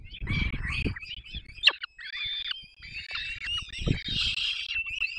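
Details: Peregrine falcon young being fed by their parents at a nest in the Barycz Valley, 3 May 2024: rasping, squealing cries packed closely together, one sharp high click, with heavy low thuds and rustling from movement.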